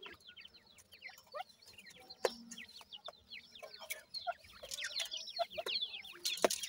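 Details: Dakhni grey francolin chicks, captive: many overlapping thin downslurred peeping chirps, steady and busy, with a few louder sharp clicks and taps among them.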